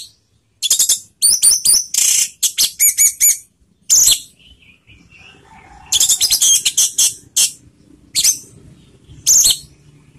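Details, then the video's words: Orange-headed thrush singing in 'teler' style as a lure to stir emotion and breeding urge: high, piercing, varied rapid trills and sharp notes in clustered bursts, a short lower warble near the middle, separated by brief silences. "PANCINGAN ANIS MERAH TELER || menaikan emosi dan birahi"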